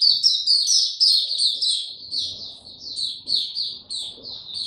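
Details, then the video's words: White-eye kept in a cage, no supplements given, singing on 29 April 2022: fast, high-pitched twittering of short falling notes delivered in an unbroken stream, over faint low background noise. "Mata Puteh Hercules buka sing"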